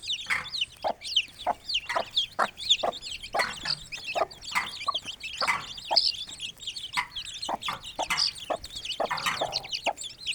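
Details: Aseel hen with her chicks feeding and playing in an open village yard: many high, thin peeping chirps from the chicks overlap throughout, mixed with sharp clicking and pecking sounds.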